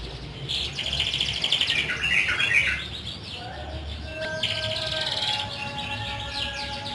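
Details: Canary song used to trigger silent canaries to sing: softer rattling trills early on, then quieter chirps with steady whistled tones and a low background hum.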